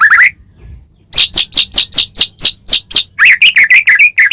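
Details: White-rumped shama from Medan, caged, in energetic gacor song meant to stir another bird to answer: a fast train of sharp chirped notes followed by a run of varied whistled phrases.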